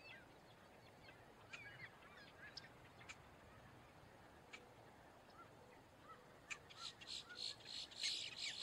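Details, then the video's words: Boat-tailed grackle calling in alarm: faint scattered chips and short whistles at first, then a quickening burst of loud, raspy, grating notes at the end. "Grackle bird call / song / sound | Boat tailed"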